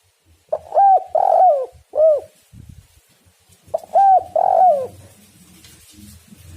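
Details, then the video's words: Spotted dove coos played to entice other doves to call: two phrases of soft hoot, burred coo and falling closing note, followed by low rumbling background noise. "tekukur super gacor suara prangsang untuk burung buktikan"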